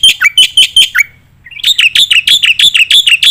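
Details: Active gacor song of a black-winged myna used for tutoring competition birds: loud, evenly repeated harsh squeaks, a brief pause, then a longer fast run of the same piercing notes.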